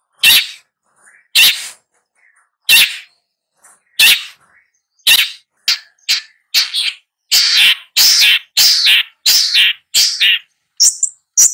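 A long-tailed shrike gives harsh, rasping notes, first about every second and a half, then in quicker grating bursts, ending on a higher squeaky note.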